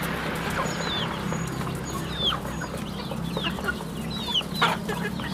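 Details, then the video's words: Young chicks at a rural home farm utter sparse, high, downward-sliding cheeps a few times a second, set against a constant low drone and light scratching. "Good chicks sounds in the farm, Rural chicken farm"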